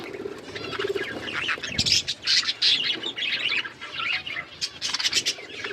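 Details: Budgies eating green food produce a continuous mix of high, raspy chirps and chatter, with several sharp clicks and brief squawks.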